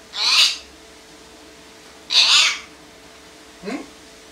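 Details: A pet common hill myna, angry because it has no food, gives two loud, harsh, hissing screeches about two seconds apart, then a short rising squeak, demanding food while its meal is prepared. A faint steady hum underneath.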